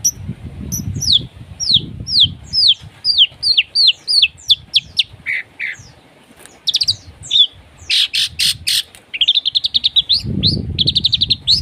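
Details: Long-tailed shrike in varied harsh masteran song meant to wake a silent shrike: rising squeaky slurs in series, a burst of raspy noise, then rapid buzzy trills, with low rumbling noise underneath.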